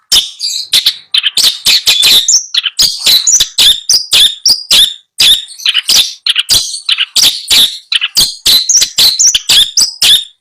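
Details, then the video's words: Long-tailed shrike (cendet), a caged bird being chosen for purchase in Bondowoso, pours out a dense, rapid chattering song of harsh, buzzy notes in quick runs with brief breaks throughout. "Suara merdu burung cendet"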